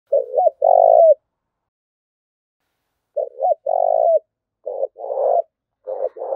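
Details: Spotted dove cooing to provoke fighting: three phrases, each two short hoarse notes followed by a longer mellow crooning note, low-pitched and separated by pauses of about two seconds, with no other sounds.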